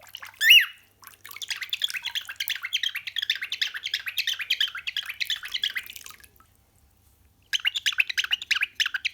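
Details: Pet cockatiel mimicking running water. After one loud rising whistle, a long babbling gurgle of quick trickling notes runs for five seconds, pauses briefly, then resumes.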